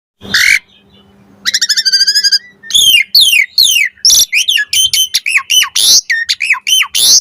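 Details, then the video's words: Asian pied starling song used as a lure to make other starlings answer, full of varied fill-in phrases: a harsh burst, a rapid buzzy trill, then loud up-and-down whistles and sharp chattering notes in quick succession. "Suara Jalak Suren Pancingan AMPUH Full Isian Variasi Agar Burung Jalak Auto NYAUT Cepat Gacor"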